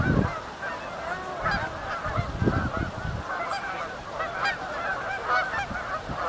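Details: Canada geese flying in at Oak Hammock Marsh and Fort Whyte, honking in a loose overlapping chorus of many birds, nasal calls repeated irregularly over low rumbling background noise.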